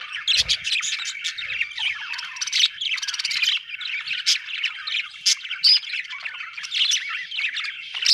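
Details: Busy budgie chirping over eight seconds: a dense tangle of warbles, clicks and squeaky notes, with frequent sharp chirps popping out of the steady chatter.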